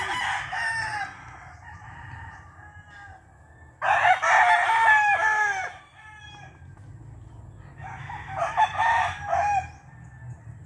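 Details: Rooster kept at a friend's place, described as a Hennie gold, crowing loudly: a strong, harmonic, drawn-out crow of about two seconds, with softer crowing phrases before and after it.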